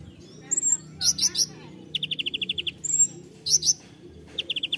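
Common Iora singing: thin high whistles, harsh chattering bursts and quick runs of even, rapid notes, repeated phrase after phrase over a low background hum.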